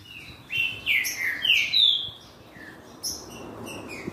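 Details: Green-winged saltator singing to stir another bird to sing, a series of clear whistled notes, some slurred downward, delivered in a rapid burst then fading to softer notes.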